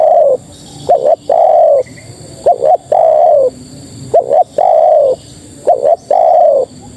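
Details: Spotted dove female calling males with a steady repeated phrase: a short double hooked note then a sustained gently falling coo, heard four times in quick succession.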